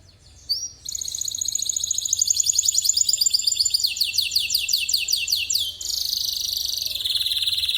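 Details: Canary of the AF line singing loudly: a fast run of high, sharply repeated trills that slide slowly downward, then a brief pause and a thinner, buzzy sustained trill to the end; faint low hum underneath.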